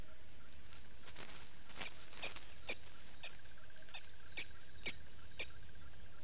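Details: Blacksmith lapwings, a family with one chick, at Gowrie dam waterhole in Djuma Game Reserve, Sabi Sand Wildtuin, South Africa, 06:28, 09/08/18; hard metallic clinks repeated about every half second, with a steady pulsing drone and low rumble behind.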